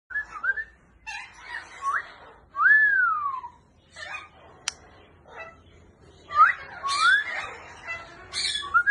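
An African grey parrot gives a varied run of clear whistles, rising and falling sweeps with a few clicks and squeaky notes between them.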